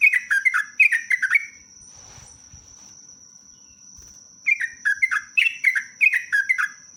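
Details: Sooty-headed bulbul, used as a lure recording with long rapid 'ropelan' singing: two bursts of quick, bubbly descending whistled notes, about three per second, separated by a quiet gap, over a steady thin high-pitched tone.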